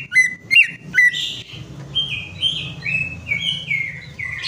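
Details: Three loud whistled swoops from a greater green leafbird, followed by a long, softer stream of warbling notes; a lure recording for prompting a bird whose song has stopped.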